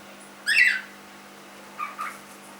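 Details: Young cockatiel, three months old and kept as a pet, giving one loud harsh rising squawk followed a second later by two soft, lower chirps; quiet room hum.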